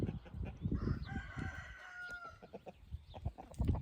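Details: Rooster among a flock of hens and roosters on an evening in golden light, the birds scratching the ground; a fainter, hoarse crow of about one and a half seconds is partly masked by nearby clucking and low scratching thumps.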